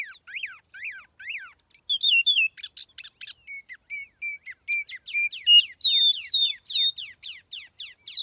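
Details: Tiểu mi laughingthrush singing for a lure, without background noise: three looping whistles, then a varied sequence of steady whistled notes and sharp downstrokes that builds into loud, rapid phrases.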